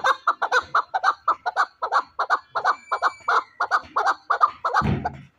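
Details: Chukar partridge kept as a fighting bird, calling in a steady run of loud, clipped chuk notes, about three per second, which end in a brief louder rasping burst.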